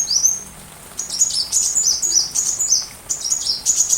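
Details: Sunbird song, recorded as master material for a white-rumped shama: a thin descending whistle, then lively bursts of sharp, very high, zigzagging chirps with short pauses between phrases.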